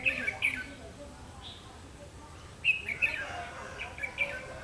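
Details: Red-whiskered bulbul ('mí lửa') during trapping on 31 October 2016 repeats brisk, chirpy whistled phrases in clusters roughly every second or two, with faint background noise.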